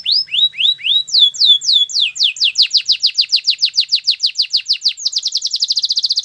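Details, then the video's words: Canary delivering slurred whistled notes that speed up steadily into a rapid, even trill of descending notes, in a quiet setting. "Canary singing birds sounds at its best"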